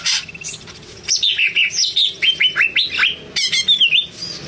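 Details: Greater green leafbird song: a fast series of clear whistled notes, each sliding downward, repeated about three times a second, with high sharp chips near the start and the end.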